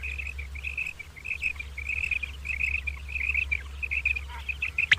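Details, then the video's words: Morning calling of the common quail: an almost continuous chain of short, sharp high notes grouped in quick clusters, over constant low background hum. "Common Quail Calling Batair Ki Awaz"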